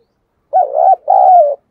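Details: Spotted dove kept as a decoy, recorded directly while calling to lure wild birds, gives a two-part coo: a warbling first note, a short gap, then a steady, slightly falling second note.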